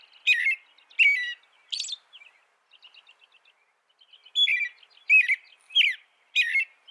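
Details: American robin song with loud, slurred whistled notes mixed with thin, high squeaky sounds, a stretch of faint soft twittering in the middle, then four more strong caroled phrases.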